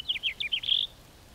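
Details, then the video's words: Short house finch song phrase: five or six rapid chirped notes followed by a drawn-out, buzzy, slightly descending note. "The song of the House Finch"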